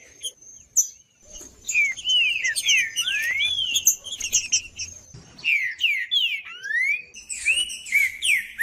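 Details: Green-winged saltator, a male singing in the macheando style, used to stimulate other males: loud clear whistled phrases with sweeping up and down slurs, mixed with sharp high chips and a thin sustained high tone, with short pauses.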